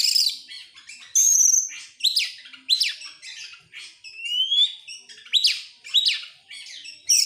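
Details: Excited Oriental magpie-robin opening its tail sings varied phrases: long clear whistles, one sliding upward, rapid rising sweeps and harsh buzzy notes, coming in loud bursts every second or so.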